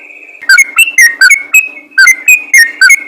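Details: Rapid-fire ropel singing of a yellow-vented bulbul, played to get other bulbuls singing more readily; after a brief quiet start, short bright whistles alternate between two pitches at nearly four per second, with a low steady hum.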